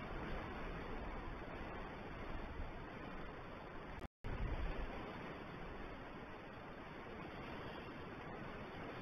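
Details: Broad rushing noise like wind over the microphone, steady throughout and broken once by a short gap of silence.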